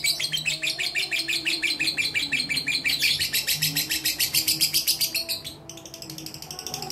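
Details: Fighter lovebird of mentil character, a contest bird kept uncovered and fed plain seed, delivering a long mentil song: rapid high chattering trills pulsing about four times a second, shifting to a fainter, thinner stretch near the end.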